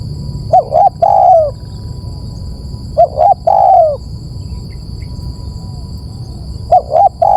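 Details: Spotted dove calling in a recording used to lure birds: low cooing phrases of two short hooting notes and a longer, drawn-out falling coo, repeated every two to three seconds over a steady electronic hum.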